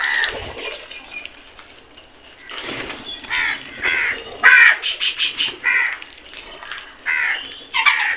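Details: Flock of crows calling while eating, harsh grating caws in irregular bursts, several overlapping near the middle, with quieter gaps and scattered soft sounds between.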